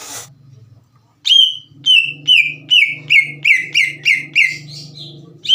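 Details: Green leafbird lure song from a bird in full voice, played so untrained leafbirds start singing and answer back: after a short noise burst, a run of eight loud, clear whistled notes, each sliding downward, repeated about twice a second.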